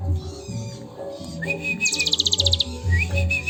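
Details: Sunda bush warbler song, described as a long cililin-style filling and recorded as a training recording: high whistled notes with a fast buzzy trill, all over steady low music or humming.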